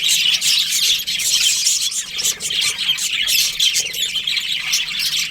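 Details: Budgies of a breeding colony in breeding season, many birds chirping at once: shrill warbles, clicks and squawks blending into constant high-pitched chatter.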